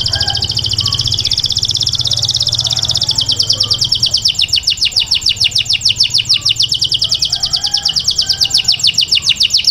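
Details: Grey canary inside its cage delivering a long, even, rapid trill of high notes, the pulses growing sharper and more distinct in the second half, with a steady low hum beneath.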